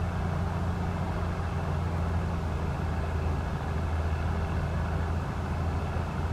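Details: A steady engine hum from road traffic dominates, with strong low droning tones and no animal sound.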